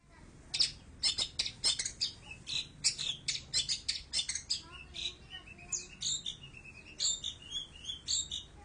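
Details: Long-tailed shrike singing, recorded on an Android phone: a dense run of sharp, high chirps and short whistled notes, several per second, with a few slurred falling phrases near the end.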